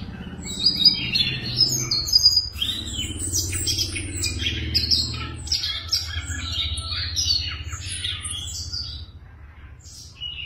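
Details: Siberian rubythroat in a cage sings a long, varied high warble, opening with clear whistled notes and then running into dense scratchy chirps that fade toward the end over a low hum.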